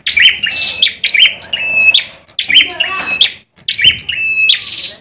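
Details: Bar-winged prinia, called red ciblek, a competition cage bird in Indonesia, in fighting song: rapid phrases of scratchy, buzzy notes mixed with thin whistles and sharp ticks, about one and a half phrases per second.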